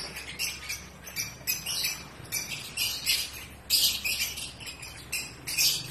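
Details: Pet African lovebirds in breeding season give short bursts of shrill, high chattering squawks, loud then fading, repeated about every half second against a faint low hum.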